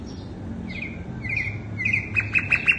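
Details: Sikatan londo flycatcher sound used as a bird lure: soft notes building into a series of sharp, evenly repeated chirps that grow louder toward the end.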